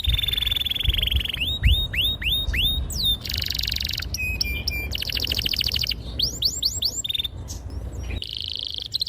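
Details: Domestic canary singing in a long, sharp rolling song used to lure young birds into learning to sing: a steady whistled tone, then rapid upward-sweeping notes, buzzy trills and repeated tours of ringing syllables, with low background hum.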